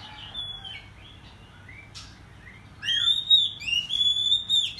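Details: Morning song of an Oriental magpie-robin (kacer), agitated and spreading its tail. Soft sliding whistles and a sharp burst, then a loud run of bright, ringing whistled notes in quick succession during the second half.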